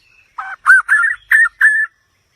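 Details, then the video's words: A short phrase from a white-rumped shama: five rich, slightly burry whistled notes at a mid pitch, each under half a second, with brief gaps between them. The surroundings are otherwise silent. "เสียงนกบินหลาดง, White-rumped shama Song."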